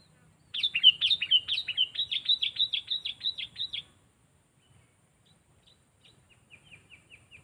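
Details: Sooty-headed bulbul undergoing training as a trapping decoy, said to have a sharp voice; a rapid three-second burst of chattering, bubbling whistled notes, then sparse faint soft notes trailing off.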